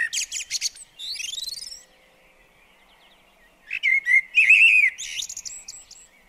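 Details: Common blackbird singing while visiting a garden bird table: a burst of high squeaky twitters, a pause of about two seconds, then a low fluted warble that breaks into high chattering notes.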